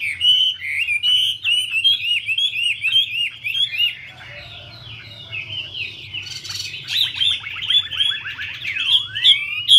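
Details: Chinese hwamei, the female dancing to spur the male: sweet looping whistled phrases, a brief lull, then rapid chattering trills and a drooping whistle to finish, low hum in the background.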